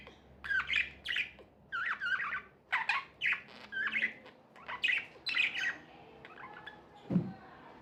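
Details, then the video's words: Tame budgies giving evenly spaced harsh, buzzy chirp pairs roughly twice a second, followed by a quieter spell and a single low thud near the end. "Budgies | Talking | Singing | Chirping sounds"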